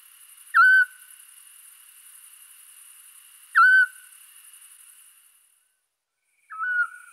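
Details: Scops owl calling at nightfall in the Scrivia valley, Italy, 5 April 2019: three brief penetrating whistles repeated roughly every three seconds, each a clipped 'chiù' with a slight downward slur, against a constant high background hiss.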